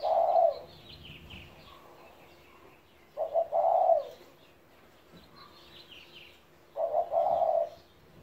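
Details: A 17-year-old pet spotted dove repeats its low cooing phrase three times, about every three and a half seconds. Each phrase has two quick notes and then a sustained coo, over scattered high chirps from other birds.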